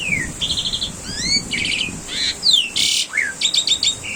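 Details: Asian pied starling singing varied master song for cage-bird training: falling and rising slurred whistles, buzzy trilled bursts, a harsh rasping note and quick chirping clusters in an irregular sequence.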